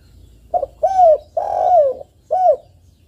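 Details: Lively spotted dove call meant to spur other doves to call: a four-note phrase of soft, throaty coos, short-long-longer-short, the longest note gently falling at its end, over a quiet background.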